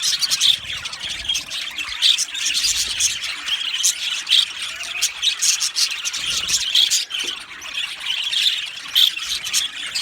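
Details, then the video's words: Budgerigars kept as an aviary colony, a continuous busy chatter of high squeals and chirps with regular sharper tweets poking through, and faint low sounds beneath. "Beautiful Budgies aviary | Budgies Chirping sounds"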